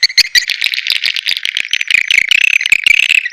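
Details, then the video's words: Swiftlets in the sp. elang Borneo lure call meant to attract them: steady high twittering with thin whistled tones and fast fluttering clicks throughout. "SUARA PANGGIL BURUNG WALET ASLI DARI ALAM"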